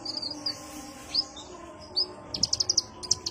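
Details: Sunbird called kolibri ninja, recorded as a calm lure sound: a few thin, rising high whistles, then a short string of sharp, evenly spaced high chirps, over low steady hum.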